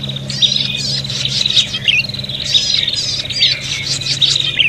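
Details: Prinia giving an agitated, fighting call used as a lure for catching birds: dense buzzy trills pitched high, broken by sharp chirps and squeaky upslurs, repeating roughly every second over a low steady hum.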